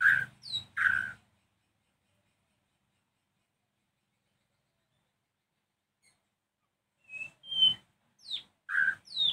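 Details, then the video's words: White-rumped shama singing in the evening, its song meant to provoke other shamas into answering: a short burst of loud whistled and chirped notes, then about six seconds of silence, then another run of sliding whistles and sharp notes. "Kicau Murai Batu Sore hari bikin murai lain nyahut emosi"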